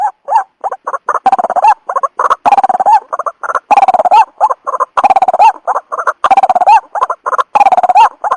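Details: White-breasted waterhen sounds used as a trapping lure: a dense, continuous chorus of overlapping clucks and honks, with longer drawn-out notes rising at their ends about every second and a half.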